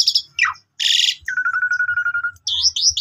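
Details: Song of young Asian pied starlings used to draw out other birds: a fast chatter, a falling slur, a dense rasp, then a long pulsing low buzz, with squeaky high notes and soft thuds.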